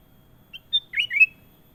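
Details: Short song phrase of a sooty-headed bulbul: a soft lead note, a clear high whistle, then two quick liquid, dipping-and-rising warbled notes; otherwise quiet.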